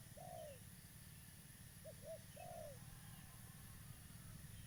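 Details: Quiet and distant under steady hiss, a local spotted dove used as a lure for trapping gives a drawn-out coo, a pair of short coos and a longer falling coo.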